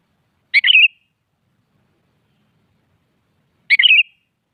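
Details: Two identical short, bubbly, warbling phrases about three seconds apart, sung by a sooty-headed bulbul in the morning to provoke a rival into singing back, with clean, silent surroundings.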